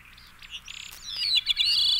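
A Veery gives a reedy, swirling run of high fluty notes that ring and spiral together, preceded by a few soft, quick ticking notes.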